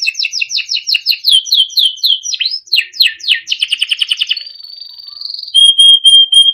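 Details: Timbrado canary, small yellow bird, singing melodic song for training: evenly repeated two-part whistles, rising sweeps, a quick rattling roll, a long steady whistle, then pure repeated piping notes.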